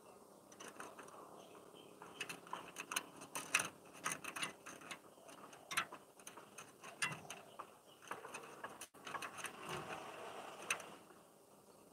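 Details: Faint irregular clicking and rattling, like small mechanical ticks, over a quiet background with no animal voice.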